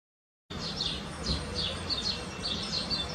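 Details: Eurasian blue tit pair making incessant trips to a nest box to feed young chicks, about one trip per minute; thin high chirps and short descending notes repeated through the clip over steady low background noise.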